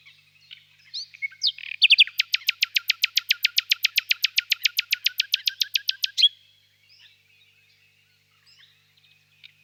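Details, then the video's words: Nightingale in a birch grove at evening in spring: a few whistles lead into a long, powerful rattle of identical sharp notes repeated very fast for about four seconds, then quiet with faint chirps. "Пение соловья"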